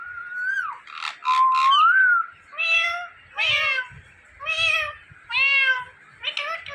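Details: Talking Indian ringneck parakeet: a sliding whistle near the start, then five evenly spaced harsh, meow-like word bursts about a second apart, with faint low room noise.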